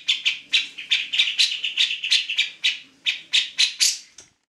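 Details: Eager grey-cheeked bulbul song recorded to tutor other songbirds: a steady series of coarse, buzzy chirps about four per second, thinning toward the end.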